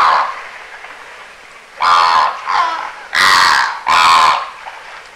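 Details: Immature greater flamingos in winter, recorded on 25 January 2022 from a noisy bird observatory in the Aiguamolls Natural Park, Spain: four loud, harsh, goose-like honks, each rich in harmonics and about half a second long, after a fainter opening call.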